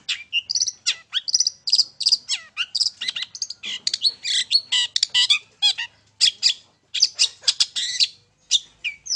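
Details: Long-tailed shrike in loud, nonstop song, played as a lure to make birds sing. Rapid scratchy chatter, squeaks and high whistled fragments tumble together in a dense, varied and mimic-like stream.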